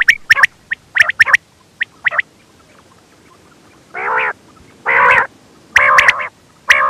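A quail gives a quick run of sharp, clicking notes, then four harsh, buzzy bursts about a second apart.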